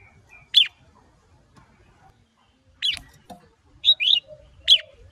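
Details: Red-whiskered bulbul, female stirring up a male to sing hard: sparse loud downward-slurred notes separated by pauses, then a quick pair of whistled notes near the end, with soft background murmur.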